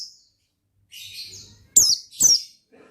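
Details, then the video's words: Oriental white-eye singing gacor ngalas: a soft, hissy, wavering phrase, then two loud, piercing notes that drop sharply in pitch, close together near the end. "Suara Bikin Pleci Gacor Ngalas Dengan Burung Pleci Gacor NGALAS INI"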